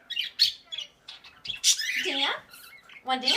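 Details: Pet Quaker parrot giving a rapid jumble of short, high chirps and scratchy notes, followed by a louder, buzzy squawk that bends downward and a final harsh burst.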